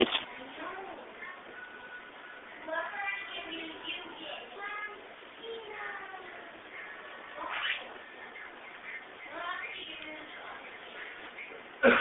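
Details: A pet monk (Quaker) parakeet that is learning to fly back on command chatters in harmonic, speech-like phrases, broken by short rising squawks.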